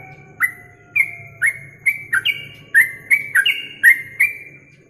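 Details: A yellow-vented bulbul training recording for competition birds, morning and night, gives about ten clear, slurred whistled notes, each ending in a held tone, roughly two per second over a faint hum; finding: Yellow-vented bulbul.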